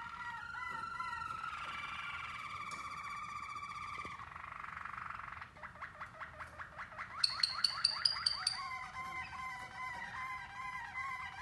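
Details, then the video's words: Waterslager canaries of Rafael Mateos bloodline from Spain, caged in North America, in song training, listening in a group of four: tonal warbled phrases near mid pitch, then fast clicking rolls and a high bright trill, then rippling tones. "Waterslager canary song training EP 4"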